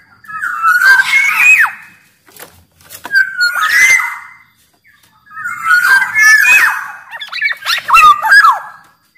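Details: Sumbawa black-naped oriole singing as a training and lure song: loud phrases of slurred whistles laced with harsh squawks, delivered in three main bursts separated by short silences and quieter notes.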